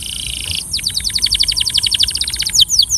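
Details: Belgian canary song for training: a short steady trill, then a fast run of bright descending chirped notes, about eight per second, ending in sharp downward swoops.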